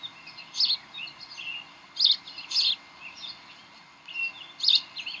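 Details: Decorah bald eagle nest, evening of 18 May 2012 near 7:45 pm, birds playing and tugging in the nest. Sharp, high chirps come in scattered bursts with quiet gaps between, over a low, steady background hiss.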